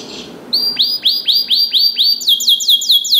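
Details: Canary song for training other canaries: a faint noisy start, then evenly spaced rising whistled swoops about three per second, switching to faster, higher repeated slurs.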